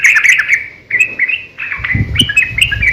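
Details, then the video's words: Yellow-vented bulbul in a fighting song used as a lure; a short run of fast chattering notes, a brief falling phrase, then a low rustling thump as the bubbly song resumes. "KICAU SUARA trucukan gacor ROPEL panjang pancingan trucukan agar bunyi"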